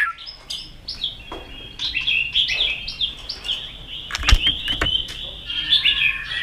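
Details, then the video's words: Caged white-rumped shama, worked up and flicking its tail, sings a quieter rambling song. High whistles slide and flutter over one another, broken by sharp clicks, with some low background noise. "chòe lửa đập tạch cực sung. kích thích chòe lửa lên lửa"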